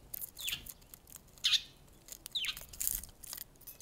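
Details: Wild sparrow on 13 February, the first to arrive that day, uttering three or four bright, quick downward-slurred chirps about one second apart amid soft rustling.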